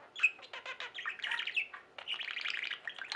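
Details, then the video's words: Budgerigars in a singing pet flock, chattering warble of rapid chirps and buzzy notes in two bursts with a short pause between, quiet indoor background. "Most Beautiful Budgie songs Ever: Budgies singing and chirping"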